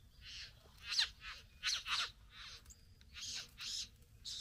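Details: Satin bowerbird courting a female at the bower, giving rapid hissing, buzzy bursts in quick irregular succession, some louder and scratchier, with a faint low hum beneath.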